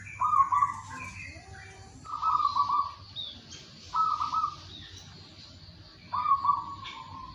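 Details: Energetic local zebra dove song at morning, meant to encourage doves that rarely sing: four trilled, burry coo phrases roughly every two seconds, with softer higher notes between them.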